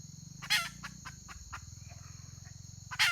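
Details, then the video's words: Female red junglefowl calling on 31 May 2023: a loud rasping note, then several soft spaced clucks, and a second harsh note at the end, over a steady shrill whine and low hum. "Suab poj qaib qus tsauj"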